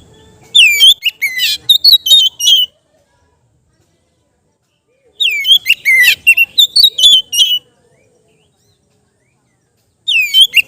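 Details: Kept Oriental magpie-robin in relaxed ngeplong singing, suited as therapy for untrained birds: three long phrases of rapid, varied whistles, chips and slurred notes, each about two seconds, separated by clean silent gaps.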